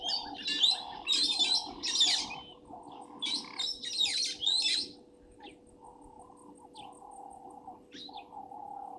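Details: Wild helmeted guineafowl at Gowrie dam waterhole, Djuma Game Reserve, Sabi Sand Wildtuin, South Africa, at 17:41 on 24 January 2023: harsh, grating bursts with squeaky notes in clustered outbursts over the first five seconds, then scattered faint notes and a steady low hum.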